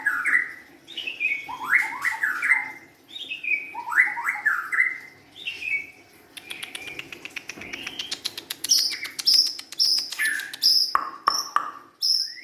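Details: Young wild-caught White-rumped shama delivering repeated descending whistled phrases about every second, then a burst of rapid ticking notes and sharp high piping whistles near the end.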